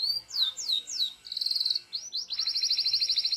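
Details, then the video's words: Local canary training song with a few downslurred whistles, a brief fast trill, then a rapid, high, bubbling rolled trill to the end. "MASTEAN KENARI LOKAL GACOR | FULL ISIAN | MASTERAN BURUNG KENARI"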